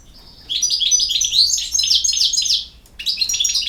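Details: From Bosnia and Herzegovina, a European goldfinch pours out sustained fast, buzzy-edged, high twittering, pausing briefly before resuming with more bright trills.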